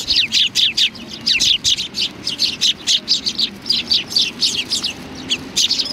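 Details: Sparrows coming to be fed at Tenmangu shrine, 25 November 2020. Steady, rhythmic stream of loud high chirps, several per second, from a group of birds.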